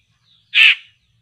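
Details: Poksay laughingthrush targeted by bird trappers gives a single explosive, scratchy rasp lasting under half a second, very loud against near silence, with a faint high whistle just before it.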